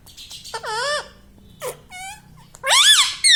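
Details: Pet parrot that says "mummy papa": several separate loud, bending, voice-like syllables with short gaps between, the last ones loudest.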